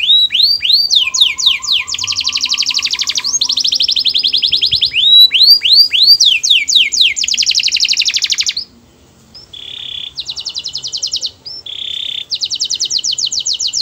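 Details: Sweet canary song with fast rising slurred notes, long buzzy rolling trills and steady notes broken by brief pauses; a faint lower whistled line runs early on.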